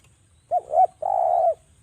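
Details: Javan spotted dove call used as a lure to make other doves call: a short low note, a second rising-falling coo, then a long sustained coo, all mellow and hollow, over a quiet background.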